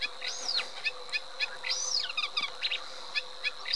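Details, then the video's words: Eurasian reed warbler singing: scratchy chirps with two high, arching whistled notes, over a steady high insect-like hum. "Cserregő nádiposzáta"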